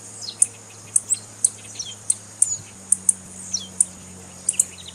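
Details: Female blue-black grassquit call meant to excite males into singing: thin, high-pitched chirps at an uneven rhythm, roughly one per second or faster, some slurring downward, with a steady low hum behind.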